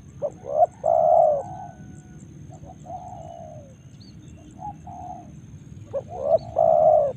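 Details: Spotted dove in Karawang giving a loud phrase of short notes and a long full coo, several softer falling coos, then another loud phrase ending in a sustained coo; low rumbling background.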